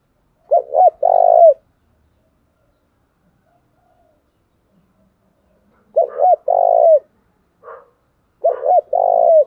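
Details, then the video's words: Spotted dove in Đồng Nai repeating its provoking coo, used for luring and training decoy birds: three low phrases, each two short notes plus a longer coo, with a soft extra note between the last two. "tiếng cu thúc gù hay"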